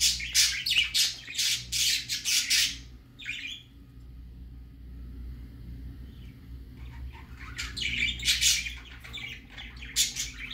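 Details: Baby budgerigar on its first outing, a burst of quick scratchy chirps at the start, then a quiet stretch of low rumbling hum before more sharp chirps return near the end.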